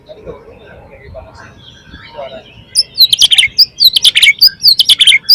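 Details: Oriental magpie-robin lure song, loud and flowing, to stir other magpie-robins to sing; a muffled low murmur gives way to a burst of rapid, piercing high chirps and whistled slurs repeated about once a second.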